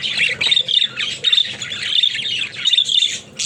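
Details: Budgerigars kept as pets, billed as talking, give bursts of harsh squawky chatter and sharp whistled squeaks in quick phrases separated by brief gaps.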